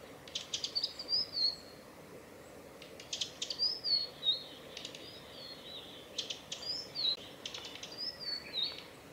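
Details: Male blue-and-white flycatcher giving calls on a forest road in Tanzawa, Japan, on 8 June 2020: short high clicking bursts mixed with brief thin whistles, repeated every few seconds over steady background noise.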